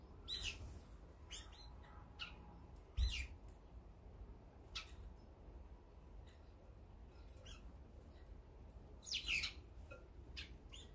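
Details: Brown-eared bulbuls feeding together as a group give short, harsh, squeaky calls at irregular intervals, some in quick pairs, over a steady low rumble.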